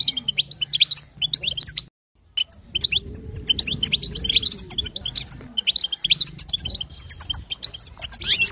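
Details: High, fast twittering of a female European goldfinch in batbata and sastasa style, used to bring a male to sing; a short twitter, a brief silence, then dense tinkling chatter resuming over a low hum.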